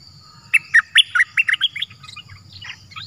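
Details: A wild cream-vented bulbul calls back to a decoy while refusing to settle on the cage, suspected to be an escapee. It opens with loud, evenly spaced liquid notes, then trails into softer, scattered chatter.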